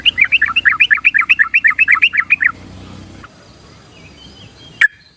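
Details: Rapid run of about ten bubbly, rolling whistled notes from a yellow-vented bulbul, used to coax timid birds into song, lasting over two seconds, then near silence with a couple of sharp clicks.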